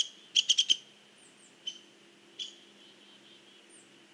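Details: Hairy woodpecker pecking at a tree, recorded 16 November 2015: a quick burst of four sharp, dry taps, followed by two isolated knocks with quiet pauses between.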